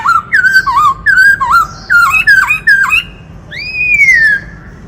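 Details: Black-throated laughingthrush singing while dancing, switching among many voices, used to rouse newly caught birds: loud clear whistled phrases, each a rising-then-falling slurred note, repeated about every half second, ending in one long rising whistle.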